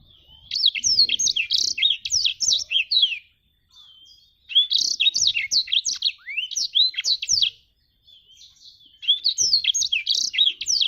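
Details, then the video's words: Jabrig black-throated canary delivering three loud song bursts of fast, sharply rising and falling chirps, each about three seconds long, with quiet gaps and a faint drawn-out whistle between them. "Burung blacktrut jabrig"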